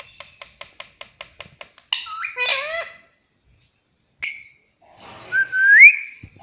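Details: Talkative pet parrot said to speak "mummy papa" in a sweet voice; a rapid series of short clicking notes, then squawky harmonic syllables, a lone sharp chirp, and a long rising whistle that levels off.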